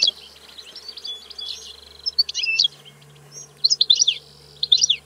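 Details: European goldfinch song of quick high twitters and chirping bursts, rather masked at the start, clearer tinkling phrases toward the end over a low hum.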